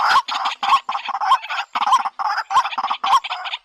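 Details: White-breasted waterhen calling in rapid, raspy, nasal croaks, closely spaced and somewhat irregular, with small rising hooks at the ends of notes and short pauses between phrases.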